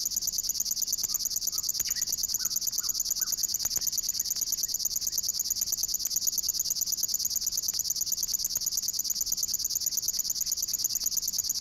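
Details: River warbler, a 1979 field recording from Matsalu's water-meadows and coastal pastures, delivers its continuous, high, rhythmic insect-like buzzing like a sewing machine, with faint whistled notes from other birds behind.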